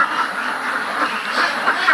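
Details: Many farm ducks calling together, a steady wall of overlapping quacks that swells a little toward the end, individual calls blurring into one another.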